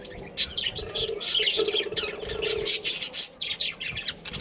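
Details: Budgerigar family in a breeding colony: quick, high, scratchy chirps and warbled squeaks repeated in tight bursts, with sharper shrill notes near the end and a low humming tone early on.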